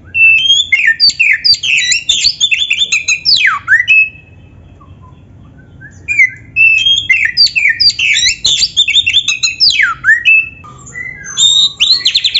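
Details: Kacer (white-rumped shama) kept in a cage, pouring out a long, fast, varied training song of whistles, trills and sweeping notes, pausing about two seconds before resuming just as richly.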